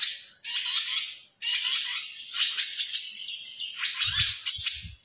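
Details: Long-tailed shrike in captivity singing 2020 competition material for training other songbirds; sustained buzzy, rattling chatter in long stretches, then clipped chips near the end with a few low thumps.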